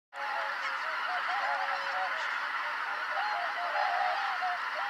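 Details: At 17:25 on 13 October 2019, after the 17:05 sunset, a large flock of greater white-fronted geese arrives at Kotomonuma to roost. They keep up a continuous, overlapping chorus of high, yelping, laughing calls, wavering and rising.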